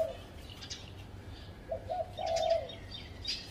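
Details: Spotted dove in a tree at a home, giving a low phrase of short coos ending in a long coo, with high chirps from other birds around it.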